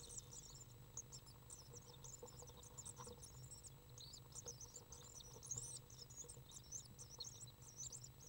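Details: Three young common swifts (Apus apus), the oldest 7 days old, beg while being fed on June 13, 2013, with a dense, high, thin chittering twitter that runs without pause, over a steady low hum.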